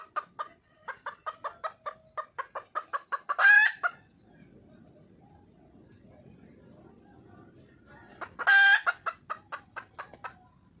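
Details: Calling for a male, a wild red junglefowl hen gives a string of quickening clucks that climax in a loud harsh cackle. After a quiet gap of about five seconds, a second cackle and trailing clucks follow.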